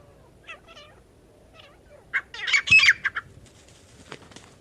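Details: Partridge, apparently grey francolin (desi/jungle teetar) used as a calling sound for catching partridges, gives a short burst of harsh, scratchy notes mid-clip, with a few faint thin chirps before and after.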